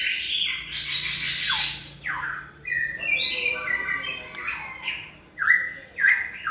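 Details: Captive white-rumped shama in its second season, reared from a nestling and prized for a varied competition song, mixes harsh raspy squawks with downslurred whistles and sudden loud high notes amid low background hum.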